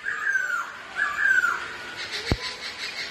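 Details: Two pet Black-throated laughingthrushes competing in song and dance; two soft, drawn-out whistled phrases falling in pitch, a sharp click, then fainter high chatter.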